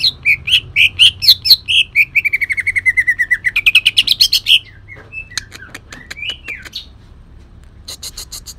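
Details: Green leafbird of Kalimantan giving rough 'tembakan' bursts mixed with cendet mimicry. A fast, accelerating series of buzzy repeated notes slides down and climbs again, followed by thin twittering and clicking notes.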